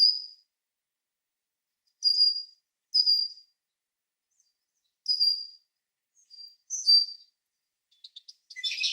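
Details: Red-winged blackbird recorded in Ontario, Canada: brief high whistled notes, single or paired, spaced one to two seconds apart, ending in a rougher burst of sound.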